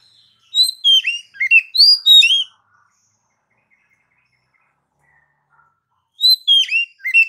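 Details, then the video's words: Varied whistled song of an Oriental magpie-robin: a two-second burst of slurred, descending notes and piercing high chips, a long silent gap, then a similar phrase beginning again. "Suara Burung Kacer 100% ampuh ngacor"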